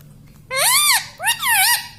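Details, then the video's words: Indoor pet parrot mimicking words: two loud, drawn-out, strongly harmonic syllables, each arching up then down, the second slightly longer and wavering. "Bolne wala tota - tota talk - mummy bolne wala mitthu - talking parrot"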